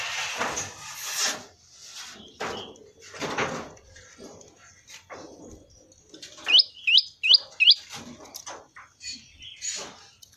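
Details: Prenjak lumut prinia in 'ceng-ceng' style. After several seconds of knocking and rustling noise, a fast run of four sharp rising whistled notes, then a few thin high chirps.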